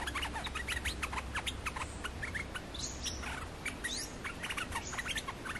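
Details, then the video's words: Lure song of an olive-winged bulbul, played to trap a third wild bird. Rapid, busy chatter of sharp chirps and upslurred whistles, with a few longer clear notes, over constant low background hum. "suara pikat merbah lekir"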